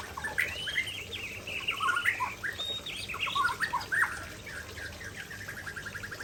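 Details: Aceh white-rumped shama singing loudly near a waterfall: slurred whistles and scratchy chattering phrases, ending in a fast, evenly repeated trill.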